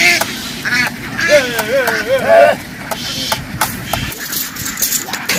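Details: Ducks running from the water back onto a field on a farm call in a fast series of nasal, wobbling quacks for about two seconds, amid splashing, clicks and human speech.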